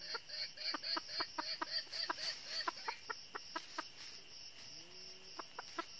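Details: A red-eared decoy jungle hen from northern Vietnam clucks rapidly, then more sparsely, to draw wild junglefowl to a trap. A low drawn-out call comes near the end, with insects droning throughout.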